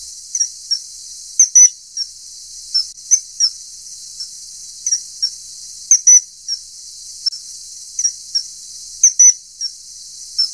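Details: Common kingfisher (Alcedo atthis) repeating shrill, high whistled notes, often in quick pairs or short clusters every second or two, against a steady hissing background.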